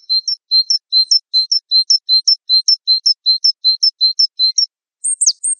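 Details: Java sparrow, recorded as tutor song for training songbirds: a steady series of high paired chirps, a lower note then a higher flick, repeated about three times a second, ending in a few sharp, higher descending notes.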